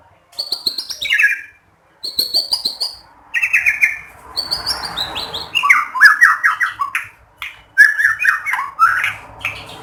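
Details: White-rumped shama in full song, played to draw other shamas into singing: bursts of high notes sliding steeply downward, separated by short pauses, with a harsh rasping passage midway and varied chattering whistles.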